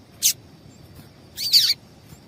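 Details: Female double-collared seedeater call used to warm up males for singing contests: one short high chip, then a longer note with a whistled, wavering, falling sweep about a second later.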